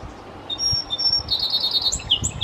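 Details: Song sparrow perched atop an arborvitae, a nest likely nearby, sings two clean high whistles, then a fast run of bright repeated notes and a couple of sharp descending chips, over low background rumble.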